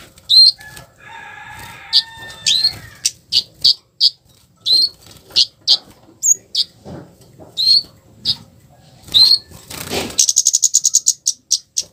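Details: Harsh flowerpecker call used to provoke replies from other flowerpeckers: scattered high chips and short upslurred notes, a steady humming tone early, and a loud rapid rattling burst near the end.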